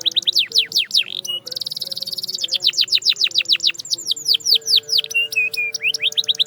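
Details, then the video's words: Lively canary song meant to prompt quiet canaries into singing, with long runs of steep downward-sweeping notes, a dense buzzy roll in the middle, and short level whistles near the end; a faint steady hum underneath. "Silent Canaries? Not Anymore! This Sound Brings Them Back to Life"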